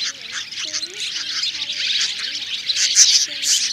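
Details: Swiftlets of three kinds (white-bellied, banded and grey-brown) calling the flock together to roost; a dense, continuous chatter of high twittering chirps overlaid with low sliding whistled tones throughout.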